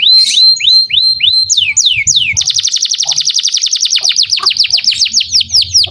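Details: Canary in full song, used to coax young canaries into singing: descending whistled slurs about four per second, followed by a long, loud, rapidly rolling trill.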